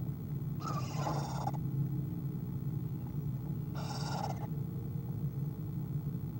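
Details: Owl on a nest camera giving a quiet sound at 1:20pm on 5-11-2015: two soft, hoarse, breathy bursts about three seconds apart, each under a second long, with low steady hum throughout.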